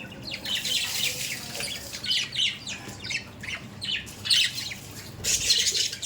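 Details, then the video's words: Pet budgerigars kept indoors, trading rough squawks and twittering chirps in uneven bursts throughout. "Budgies parrot daily update"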